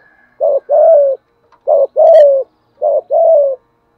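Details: Spotted dove decoy bird cooing, a trained caller's fast urging coo style: three phrases of a short note then a longer falling coo, each pair about a second long, spaced over four seconds.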